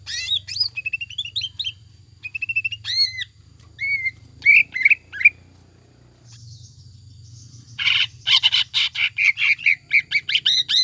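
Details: Greater green leafbird singing a lure song meant to spur a captive leafbird into full, nonstop song: clear whistled slurs and hooked notes in short phrases, a pause, then a fast, loud burst of repeated chirps.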